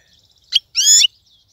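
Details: European goldfinch, caught wild and kept caged, gives a short sharp chip followed by a drawn-out nasal, buzzy note of about a third of a second, over faint soft twitters.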